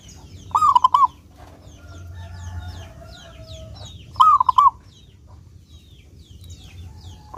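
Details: Zebra dove of local stock, singing energetically and clearly, used as a lure to prompt doves to sing: two bright three-note cooing phrases about three and a half seconds apart, over soft high chirps from other birds.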